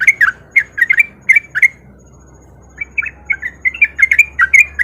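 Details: Sooty-headed bulbul singing as a lure to get lazy bulbuls to join in: bursts of short, bubbly, chattering notes, a quiet gap of over a second, then a quicker run of warbled phrases.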